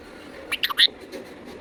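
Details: Pet parrot talking indoors: a few quick, squawky speech-like syllables in under half a second, followed by faint room noise.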